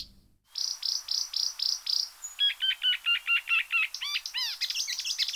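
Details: Blyth's reed warbler at night delivering a rapid series of repeated high notes, five similar chirps, then a run of lower paired notes, ending in varied, rising-and-falling twittering phrases; no other sounds intrude.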